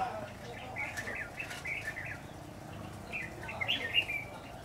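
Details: During bulbul trapping on 10 September 2019, a red-whiskered bulbul gives soft chattering phrases, then a louder, sharper whistled burst near the end; light wing flutters and low background noise.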